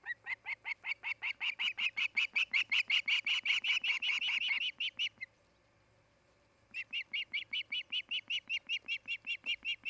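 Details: Osprey at its nest in Charlo, Montana: a rapid, insistent series of high piping chirps for about five seconds, a two-second pause, then the chirping resumes at the same fast, even pace.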